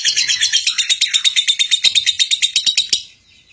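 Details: High-pitched, rapid chattering from a lovebird in 'gacor konslet' song, intended as training material for other lovebirds: about three seconds of rhythmic squeaky pulses, a few sharp clicks mixed in, then an abrupt stop and quiet.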